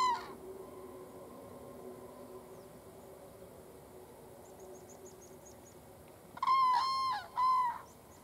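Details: Two wild common cranes trumpeting on a field in southern Sweden on 22 September 2015 before taking off: a brief call at the start, then after quiet field ambience two loud, rolling, bugle-like trumpet blasts near the end.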